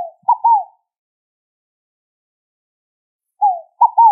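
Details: Two cooing phrases of a scaled dove (rolinha fogo-apagou), each a sliding first note, a pause, then two quick downslurred notes, separated by a long silent gap.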